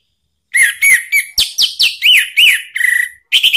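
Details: Orange-headed thrush song played as a lure to get a pet bird singing back: a rapid series of about ten varied whistled notes, some arching up and down, some sharp and clipped.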